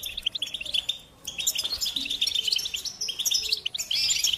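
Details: Goldfinch delivering a dense, continuous stream of bright twittering and buzzy trills, with one short pause near the one-second mark.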